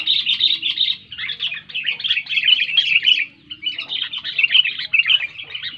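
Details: Ringing sooty-headed bulbul song intended to coax reluctant bulbuls to sing: dense, lively chatter of high, buzzy, bubbling notes in phrases broken by short pauses.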